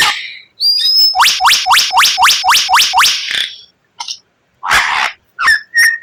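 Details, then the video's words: White-rumped shama song with unusual 'tembakan' phrases: a rapid run of about nine identical upward-flicked whistles, followed by scattered harsh bursts and short high notes after a pause. "Masteran Murai Batu tembakan Langka, suara aneh memikat para juri"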